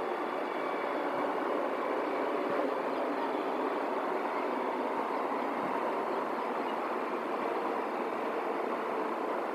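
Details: Loud, even rumble of a passing train or heavy traffic throughout, with no animal sounds.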